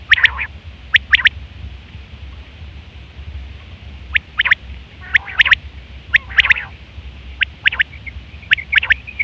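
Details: Female quail call used as a trapping lure, short raspy bright notes in quick clusters of two or three, about one burst per second, over a low steady rumble.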